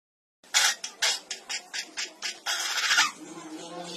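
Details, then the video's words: Long-tailed glossy starling in Africa giving harsh, grating squawks, about two a second, then a longer rasping chatter, with a little background noise after. "Long Tailed glossy Starling Birds"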